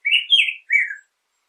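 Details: Two sweet, slurred whistled phrases from a Black-headed grosbeak, the first rising then falling, the second dropping gently, followed by silence.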